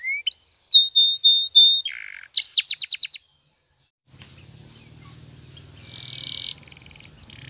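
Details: Canary training song with steady whistled notes and a short rapid trill, followed after a pause by softer, noisier buzzing under a low hum.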